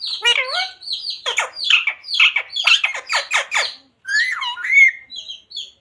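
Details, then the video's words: Pet parrot talking indoors in a small room. Its words include radhe radhe, jai shree ram, sita ram and mummy papa. The bursts are short, harmonic and speech-like, some sliding in pitch and others harsh and squawky, separated by brief pauses. "Parrot talking radhe radhe | Parrot talking jai shree ram | Parrot talking sita ram | Mummy Papa"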